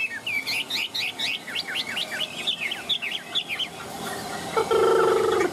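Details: Caged Chinese hwamei singing a quick run of rising, whistled notes repeated several times a second, then fading as a steady low droning tone enters near the end.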